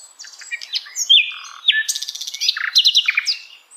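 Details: Cheerful dusk song of a Sikatan Londo flycatcher, a dense run of very high, thin whistled notes, sweeping slurs and buzzy trilled phrases following one another with hardly a break.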